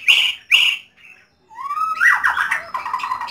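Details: Home-kept white-rumped shama: two harsh, broad squawks, a short pause, then a clear whistle rising in pitch that runs into a dense, rich warbled phrase over steady background noise.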